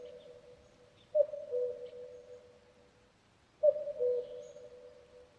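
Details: Two hollow, descending cuck-oo calls from a common cuckoo, about two and a half seconds apart, with soft background hiss.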